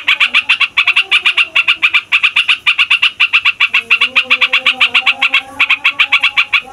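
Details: Yellow-vented bulbul, a fighter bird, giving a long rolling song used to provoke other songbirds and lure wild bulbuls: rapid, even burst of bright notes, about four per second, with faint steady low tones beneath.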